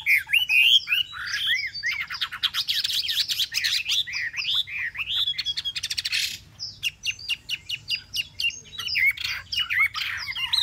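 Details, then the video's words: Hwamei kept caged for three months pours out loud song: warbled looping whistles, a long rattling trill, then sharp repeated clipped notes and slurred phrases, over a constant low hum. "chim họa mi"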